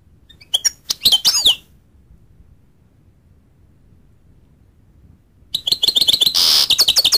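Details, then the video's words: A goldfinch gives a short burst of quick high chirps and sweeping notes, falls silent for several seconds, then resumes with a dense twittering phrase that includes a harsh buzzy note. "goldfinch sound"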